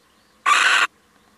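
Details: Single noisy, rasping screech just under half a second long from a visiting male little owl, with little else audible.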